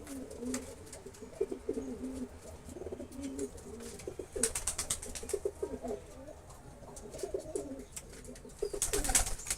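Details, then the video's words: Several kept pigeons in a pigeon-rearing setting, apparently indoors. Low, throaty cooing rolls on almost without pause, with overlapping birds. Sharp clicks and rustles, likely wings or feet, break in now and then. "Pigeon Sound Effect"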